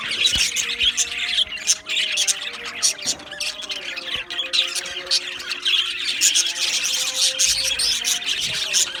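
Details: Australian budgie aviary colony, a lively mix of squawks, chirps and chattering warbles from many birds, busy and uneven, with steady humming tones underneath.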